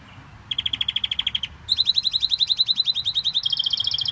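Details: Canary singing a fast rolling trill of repeated high notes, then a brief pause and a brighter, quicker trill of chirped notes that steps higher near the end; low room hum beneath.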